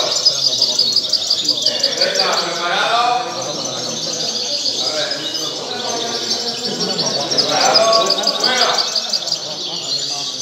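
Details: European goldfinch singing at a song contest: continuous fast twittering song of liquid trills and tinkling notes, with a man's voice speaking in the background.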